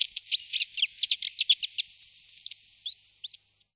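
Long-tailed tit giving a rapid run of very high, thin twittering notes, tumbling for about three seconds before trailing off; no other sounds.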